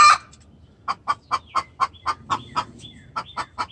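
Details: A hen's distress call directed at the rooster: one loud squawk opens, then a steady run of short, sharp clucks about four per second, with faint falling chirps between them.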